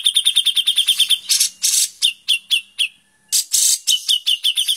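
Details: White-rumped shama in the rapid, harsh tembakan style from a songbird training master: quick ringing chips mixed with loud raspy bursts, a short silence, then more raspy notes and chips.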